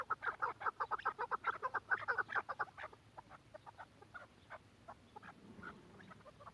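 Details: Quetta chukar partridge gives a rapid burst of loud clucking notes for about three seconds, followed by quieter, scattered clucks fading out.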